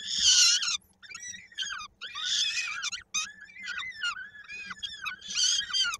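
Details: Peregrine falcon young at their nest in Koszalin, Poland, 16 May 2022, fed by the adult female while a small one's foot is trapped in a beak; loud shrill screams alternate with softer drawn-out whining notes, low electrical hum throughout.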